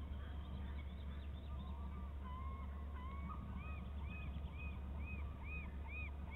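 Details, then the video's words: Eagles soaring around BST and Fosters Fir near the nest at 10:46. They give a series of thin, arched whistled notes, about five evenly spaced in the second half, over a steady low hum. "eagles soaring around BST and Fosters Fir calls"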